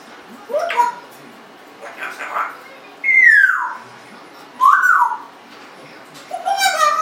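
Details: Young pet Congo African grey parrot, 1.5 years old, mixes speech-like mutters with loud slurred whistles, including a long downward-sliding whistle and an arched one.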